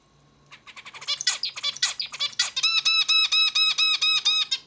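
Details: Zebra finch singing indoors: a burst of buzzy, noisy rasping notes, then a steady run of about ten identical harmonic, nasal stacked notes repeated evenly, a faint low hum underneath.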